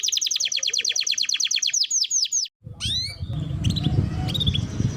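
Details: Canary lure song for young canaries learning to sing: rapid trill of repeated chirps with a few sweeping notes, a pause, then upslurred notes over loud low rumbling noise.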